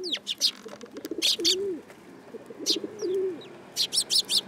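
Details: Sparrows landing on a person's hand at a Tenmangu shrine, 8 July 2022: quick groups of high, sharp chirps come in bursts, while a dove coos softly and steadily underneath.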